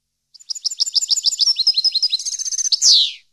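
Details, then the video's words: European goldfinch song for educating captive finches: a steady chain of bright, clipped chirps that accelerates into a rattling trill and finishes with a loud, grating, descending buzz. "Canto Para Educar Jilguero"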